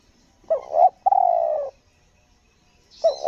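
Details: Spotted dove cooing in the selang nguku gagap style during luring on Lombok: a wavering stuttered double note, then a long hoarse coo sliding slightly lower, and a new phrase beginning; quiet background otherwise.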